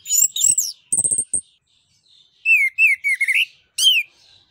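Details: Orange-headed thrush in full song, used as a lure to stimulate other birds: loud, varied phrases of rich whistles and sharp chattering notes, some rising and falling, delivered in short bursts with pauses between them.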